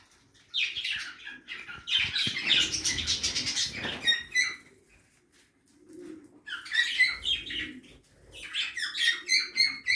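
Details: Several caged budgerigars feeding in a backyard aviary give rapid warbling chatter, with dense harmonic chirps in bursts separated by short quiet gaps and a low hum in the background.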